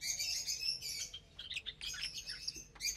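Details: Lovebirds at morning feeding time on vegetables and grain mix; a run of high chattering chirps followed by scattered short sharp notes.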